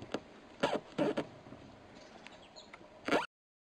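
A White-backed night heron gives short, harsh croaking notes, four or five rough bursts spread over about three seconds, against a quiet background hiss.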